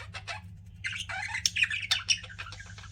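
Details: Pet budgies chattering: a few short scratchy chirps, then a busy run of warbled, squeaky notes with sharp clicks, over a faint low hum.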